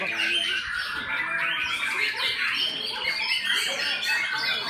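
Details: Top-class white-rumped shama in full song: a steady stream of bright, varied whistled sweeps and harsh chatters, densely layered, with brief dips in loudness around the first and fourth seconds.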